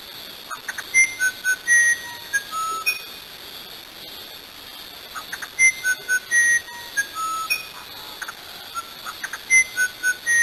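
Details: Uirapuru, the musician wren, singing in the rain; a flute-like phrase of pure whistled notes at shifting pitches, short notes and held tones mixed, repeated about every four to five seconds against faint steady hiss.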